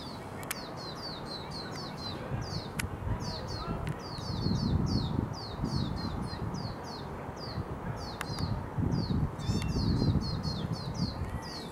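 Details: Two young lesser goldfinch fledglings begging their parent for food outside a house, giving high, thin, slurred chips in quick uneven runs, several a second, over a steady low rumble of wind or traffic.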